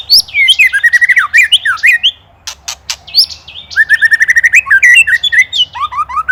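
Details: Indonesian white-rumped shama in an agitated 'ketrekan predator' master recording for tutoring songbirds. Fast runs of bright whistled notes sweeping up and down, interrupted by harsh clicking rattle bursts midway, then more rising whistles.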